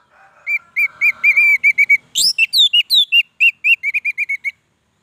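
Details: Orange-headed thrush in lively, long-running song: a steady series of short clear whistles repeated several times a second, broken by a harsh burst and higher swooping notes, then the same even whistles resume.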